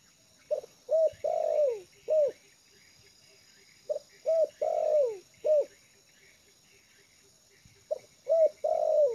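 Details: Lure-trained spotted dove, relaxed on the ground, repeating a four-part coo about every four seconds: clipped note, short hoot, long falling coo, sharp closing hoot. Soft ticking fills the gaps.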